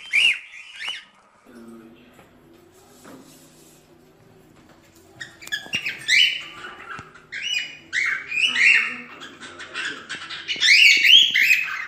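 Cockatiel whistling bright, warbling phrases and chirps that grow busier and louder toward the end, over a faint low hum in the background.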